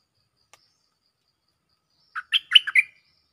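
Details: Cream-vented bulbul calling a mate, used as a lure: after near silence, one short bubbly phrase of about five quick, liquid, chattering notes.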